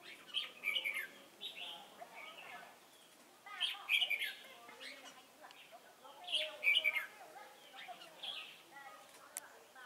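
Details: Decoy red-whiskered bulbul for trapping at Chùa Hương, 28 November 2017, delivering three loud warbled phrase clusters roughly every three seconds, with quieter chirps in between.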